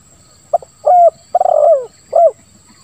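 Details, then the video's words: Spotted dove in 'lambung kuk 1, suara ngeruk' style, used as a lure for doves that stop calling: one full cooing phrase, a soft short note, a level coo, a long rattling note sliding downward, then a falling coo. "Suara Tekukur Terbaru ll Lambung Kuk 1 Suara Ngeruk"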